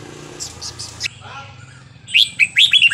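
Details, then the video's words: Burmese-style song (เพลงถิ่นพม่า) of a red-whiskered bulbul, used to teach young birds. Faint chirps over a low hum, then a loud burst of quick, slurred whistled notes dipping and rising. "นกกรงหัวจุกเพลงถิ่นพม่า 3-4-5-6 เปิดสอนลูกนก"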